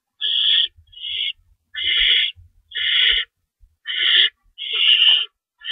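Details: Owls at a nest during feeding time at 3:53 AM on March 25, 2012, with two rabbits stored and one adult shredding prey: harsh, raspy hissing screeches, about seven bursts of half a second each with short silent gaps.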